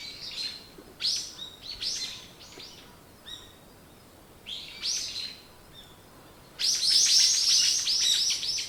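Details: Birds chirping in the morning in several short, high, clustered phrases with pauses. A loud, dense, buzzy trill runs steadily through the last two seconds.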